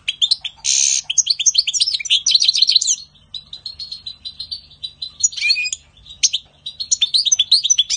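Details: Spring singing of a European goldfinch: a harsh rasping burst, then lively tinkling and twittering phrases, a short pause, and further bouts of liquid, jangling chatter.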